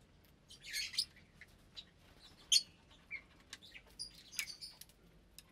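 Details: Aviary flock of around 25 breeding lovebirds in parblue, euwing, opaline, lutino and albino colours at meal time, January 2023; brief high squeaky chirps and shrill bursts spaced irregularly over a soft background hiss.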